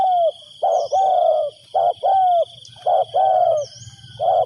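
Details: Luring wild doves, a decoy spotted dove repeats paired coos. A short note leads into a longer falling croo, nearly once a second, over a low rumble and a steady high whine.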